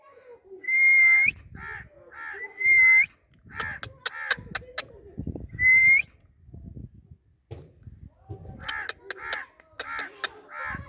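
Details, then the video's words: Talking parrot giving a mix of sounds: clear whistled notes that rise and then level off, repeated about three times, between bursts of harsh, speech-like syllables and short rasping chatter. "Talking parrot Beautiful parrot sounds natural"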